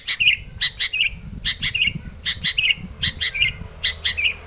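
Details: Long-tailed shrike singing in pairs of harsh, high chirps followed by a buzzy lower note, the phrase repeated steadily over four seconds against a low murmur.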